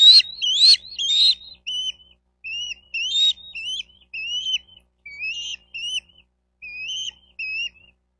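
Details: Nesting bald eagle in Miami-Dade County, Florida, on a nest cam, June 4, 2023 around 12:35; clear, high whistled notes with slurred upward-then-down shape, given in short groups of two or three, roughly twelve phrases, otherwise silent.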